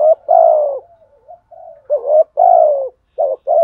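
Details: Decoy spotted dove cooing in 'thúc gù' and calling style: long husky falling coos linked by soft murmuring notes, ending with quicker clipped coos in close succession.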